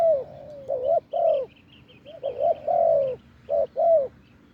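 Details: Wild spotted dove with a deep voice, cooing to a decoy on a branch perch. Low, mellow coos come in short groups of swelling notes that rise and then fall, with uneven pauses between phrases. A faint steady hum sits underneath.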